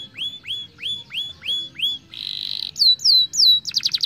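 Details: Young canary song meant to prompt other birds to sing and roll: a series of rising whistled notes, then a buzzy trill, descending sweeping whistles and a fast rattling burst, all high-pitched and clear.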